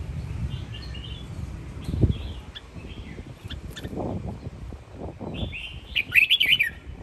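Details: Sông Kon red-whiskered bulbul, home-raised in Quảng Nam and kept as a fighting bird, sings soft scattered notes among knocks and low thumps, closing with a loud, rapid warbled burst.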